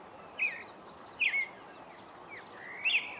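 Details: Creamy-bellied Thrush singing at dawn, giving three short, slurred whistled phrases about a second apart, with faint high chirps from other birds behind.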